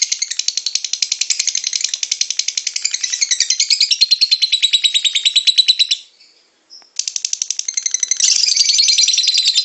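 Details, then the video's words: Lovebird singing a long ngekek chatter of rapid, high, scratchy notes. The chatter breaks off for about a second of silence near the end, then resumes louder and harsher. "LOVEBIRD SINGING"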